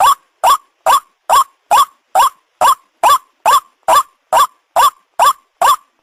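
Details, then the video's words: Ruak ruak lure call of the white-breasted waterhen: a continuous train of about fourteen loud, harsh, upslurred croaks at a steady pace of slightly more than two per second, with no other sounds. "the sound of the ruak ruak"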